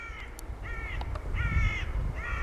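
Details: In South Holland, Netherlands, a great bittern gives four harsh, crow-like barking calls, spaced about every two-thirds of a second, over a steady low rumble of wind.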